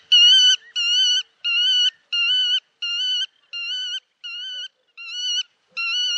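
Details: A black-tailed godwit on the Bug river gives a steady series of nine nasal, reedy calls, each about half a second long, with no other sounds.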